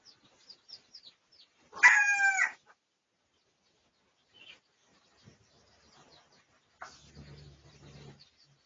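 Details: A single short, harsh crow of under a second from a Pradu-coloured red junglefowl, recorded for research on 18 August 2023. Scattered thin bird chirps come before it, and a low rustle follows later.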